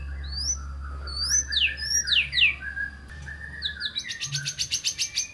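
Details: White-rumped shama in full song, used to prompt reluctant shamas to sing: clear rising whistled sweeps and steep slurred notes, then a fast, even run of short buzzy notes repeated about four times per second, with a steady low hum.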